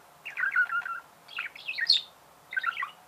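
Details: Domestic budgerigar chirping three quick scratchy twittering phrases, each under a second, some notes rising to thin high squeaks.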